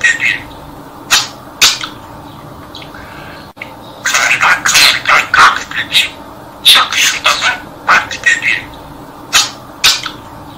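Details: A pet budgerigar chatters in a rapid, scratchy stream of broadband syllables, mimicking speech as it recites a Turkish nursery rhyme about a crow.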